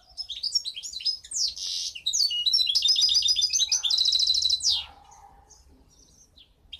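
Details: A goldfinch hybrid (mixto jilguero) from 2015 sings a fast, high, tinkling medley of twitters, buzzy notes and rattling trills, ending in a short clear phrase.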